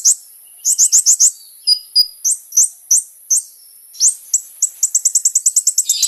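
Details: Sunbird (kolibri ninja) in vigorous song, recording used as a lure for other sunbirds: high, sharp chirps in quick clusters with pauses, ending in a fast run of about a dozen piercing notes.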